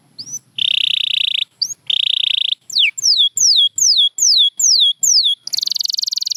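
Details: Champion canary singing from a compilation that includes Gloster canaries: sustained buzzy trills alternate with a run of repeated descending whistled notes, about eight in a row, ending in a fast rattling trill.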